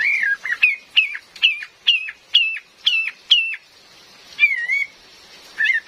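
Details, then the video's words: Female cream-vented bulbul call used as a forest trapping lure: a rapid run of about eight short, bright whistled notes, each dropping slightly, then a longer wavering whistle and a final short note, with rain in the background. "SUARA ASLI KAPAS TEMBAK BETINA || COCOK BUAT PIKAT DAN PANCINGAN"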